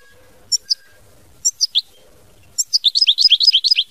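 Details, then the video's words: European goldfinch: two pairs of short sharp chirps, then a third, before a lively burst of rapid twittering song at the end. "Chant Chardonneret mama binette"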